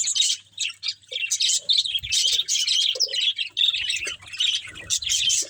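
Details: Several pet budgerigars chirp while eating green food: overlapping high, scratchy warbles and chattering squawks run on without a break, with occasional short, lower clicks underneath.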